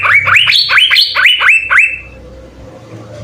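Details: Master recording of an Asian fairy-bluebird for training songbirds: a two-second burst of looping upswept whistles, several stepping higher, then a low hum fills the remaining quiet.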